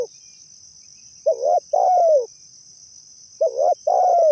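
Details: Spotted dove calling, a sound used to lure and trap doves: twice a quavering short coo followed by a sustained falling coo, against a continuous high buzzing tone.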